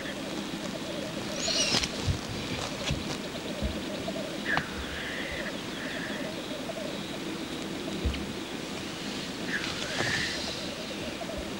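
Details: Displaying male black grouse at a lek during courtship. Steady low bubbling coos continue throughout, broken by several harsh hissing sneezes, some of them upward-sweeping, and a few sharp clicks.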